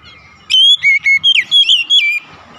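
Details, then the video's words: Oriental magpie-robin morning song: after a quiet start, a quick string of clear whistled notes sliding between high and lower pitches, about seven in all, with faint low rumbling beneath. "OCEHAN KACER DI PAGI HARI"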